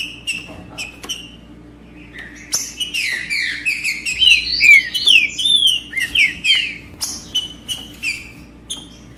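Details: Green-winged saltator singing macheando to stimulate a male: after scattered chips, a loud run of rich whistled phrases with swooping downslurs and one high rising note, then sharp clicks and short notes, low hum throughout.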